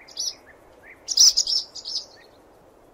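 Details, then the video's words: Brief swallow song: a loud run of rapid high chirps blending into a short trill, preceded and followed by softer chirps and a low slurred note. "CANTO DE GOLONDRINA"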